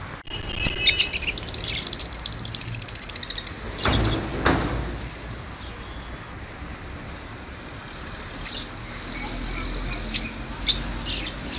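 Lovebirds chatter in a fast run of shrill, high chirps for the first few seconds, then call sparsely again later over a low rumble of passing traffic.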